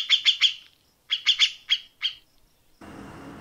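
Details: Cucak jenggot, the grey-cheeked bulbul, giving close-set 'tembakan' shots meant as training material for contest birds: two short clusters of sharp, bright, repeated notes separated by a gap, then a steady hiss of background noise.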